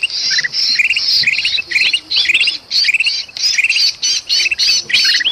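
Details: Kutilang emas bulbul raising a commotion alongside a trapped bird in Sumatra, a lure recording: loud rasping squeals with jerky, upslurred chirps tacked on, repeated in quick succession.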